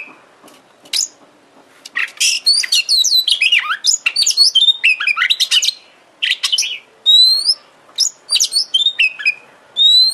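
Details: Oriental magpie-robin trigger song for getting a kacer to sing and spread its tail: a long, busy run of sharp chirps and twisting whistles, then clear upward whistled notes repeated between pauses.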